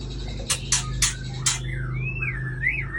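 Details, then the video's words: Aceh white-rumped shama, a breeding bird: four sharp dry clicks followed by a long, clear, wavering whistle that rises and falls, with a steady low hum behind. "Murai Aceh # Induk Super"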